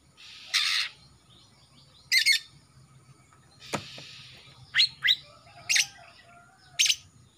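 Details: Young male greater green leafbird, Kalimantan type, freshly past juvenile spotted plumage with black on the front of the neck, a keen singer; separate bright chirps and short twittering notes spaced about a second apart, with one sharp downward note in the middle.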